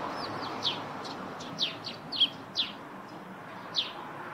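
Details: Eurasian tree sparrow by its rooftop nest, singing with loose, clear chirps, each a quick downward slur, spaced irregularly about a second apart, with a few softer chirps between them against low steady background noise.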